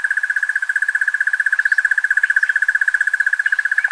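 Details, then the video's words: Crested Barbet (Trachyphonus vaillantii) in the bushveld of Kruger National Park gives a long, even, mid-pitched trill of rapid pulses, running unbroken like an alarm clock, over faint background hiss. "Crested Barbet (Trachyphonus vaillantii) Bird Call"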